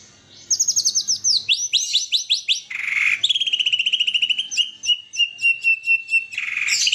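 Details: White-rumped shama kept for singing contests producing 'isian' filler song: descending whistled slurs repeated in series, a harsh rasp, then a fast chattering run and long thin whistles ending in a scratchy burst.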